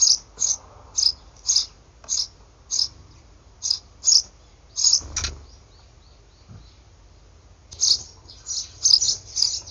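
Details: Nestling Eurasian tree sparrows, three or perhaps four siblings practising wing-flapping, recorded 28 May 2019 off a monitor screen. Rapid series of shrill, high chirps, briefly pausing midway, then resuming in quick overlapping bursts.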